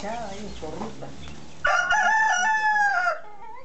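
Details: A rooster crowing beside his hens: after a second and a half of clucking and low chatter, a loud, drawn-out harmonic crow rises and holds steady for about one and a half seconds, then cuts off.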